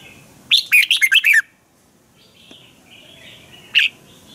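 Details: Red-whiskered bulbul from Thailand giving a sharp, energetic training song. A rapid phrase of about seven bright whistles comes first, then soft twittering and a lone loud note after a pause.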